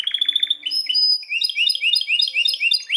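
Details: Belgian canary singing strongly: a fast buzzy trill followed by clear sustained whistles and a run of quick rising chirps, about four per second.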